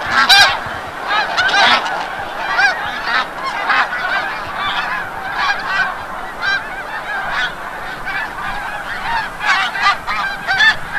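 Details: A large flock of snow geese returning from the bay at sunset, Forsythe National Wildlife Refuge, Oceanville, New Jersey, gives a constant din of nasal, barking honks, many calling over one another without pause.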